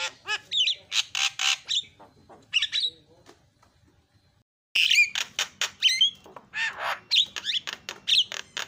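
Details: Javan myna calls meant to trigger calling in other mynas: bursts of raspy squawks and short whistles, a near-silent break midway, then more harsh notes in quick succession.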